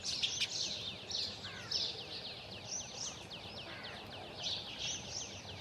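House sparrows chirp busily, overlapping short bright cheeps in a continuous chatter, with a steady low background hum.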